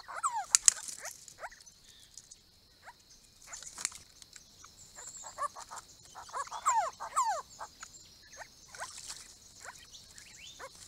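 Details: Grey-crowned babblers, a small wild group visiting a pond built for them in 2017 on a property's east side; scattered sharp downslurred calls, some in quick pairs, with soft chatter between and steady high hiss behind.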